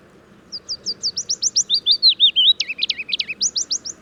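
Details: Willow Warbler song at Gibraltar Point, Lincolnshire dunes: a sweet, liquid phrase of high notes that cascades downward over about three seconds, ending in a few rising flourishes.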